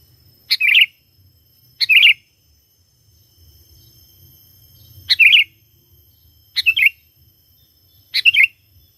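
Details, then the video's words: Sooty-headed bulbul singing vigorously to attract wild birds of its kind: five crisp, chirpy phrases of a few falling notes each, coming at uneven gaps of one to three seconds in a calm setting. "Pikat Burung Kutilang Gacor Memanggil Kutilang Liar"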